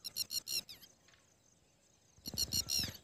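Red-wattled Lapwing giving two quick bursts of four or five sharp, high, strident notes, separated by a second and a half of quiet, with a few low thumps.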